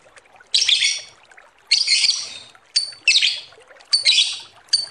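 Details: Lovebird chattering, a sound used as a lure to attract other lovebirds: harsh, noisy high bursts of about a second each, five in a row separated by short pauses.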